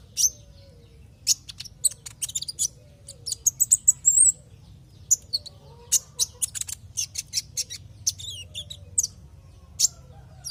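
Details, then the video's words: Javan white-eye song used as a lure to make other white-eyes sing: rapid high chirps and short whistled notes in bursts, with a brief warbled trill near four seconds and quieter chatter throughout, over a low hum. "Pancingan konin agar LANGSUNG NGOBRA dan GACOR"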